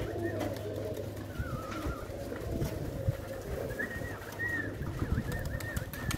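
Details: Soft, continuous pigeon cooing, deep and burbling, runs beneath a low electrical hum; high warbling whistles from another bird come in briefly early on and then more steadily in the second half.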